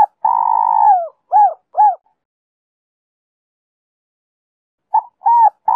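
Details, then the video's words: Spotted dove singing 'Giọng Kim 2 hậu', a style meant to bring wild doves close and get a decoy singing. One long purring coo sliding downward, then two quick hooped notes, silence, and the phrase beginning again. "Cu gáy Giọng Kim 2 hậu víp kích bổi nhanh nổi/Tiếng cu gáy kích bổi nhanh gáy/cu rừng nghe về ngay"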